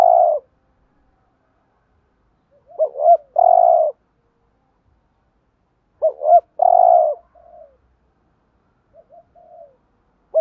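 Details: Decoy spotted dove calling in the thúc gù manner to provoke rival males. Low, hollow phrases repeat about every three seconds: a pair of brief notes, then a drawn-out coo. Quieter short coos follow.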